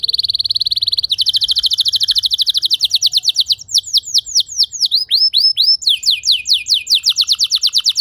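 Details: Canary singing, played as a training song so that other canaries learn long, clear phrases: a rapid even trill leads into quick rhythmic notes, then downward-sweeping slurs and looping whistled notes, all high and bright.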